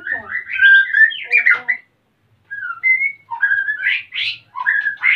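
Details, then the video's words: At Salaman, Magelang, Central Java, a captive male white-rumped shama ready to mate sings while the female is busy nest-building. Varied fluting whistles and chattering notes come in two bursts separated by a second of silence. "MURAI BATU JANTAN SUDAH BIRAHI DAN MINTA KAWIN"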